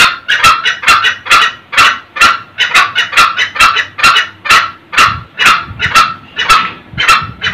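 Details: Cackling ngekek of male and female red junglefowl, a lure for old wild males in very early morning; rasping staccato notes repeat evenly at about two per second throughout.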